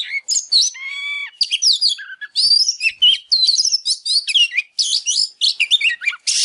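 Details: Oriental magpie-robin in a fired-up 'căng lửa' state, singing while dancing, used to prompt other birds into song: fast run of varied high whistles, rising and falling slurs and chattery notes, with a short run of lower stacked tones early on.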